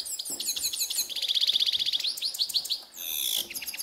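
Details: Grey-headed goldfinch in a ravine singing a fast, high twittering medley: tinkling notes, a rapid liquid trill, and a brief buzzy, wheezy phrase near the end.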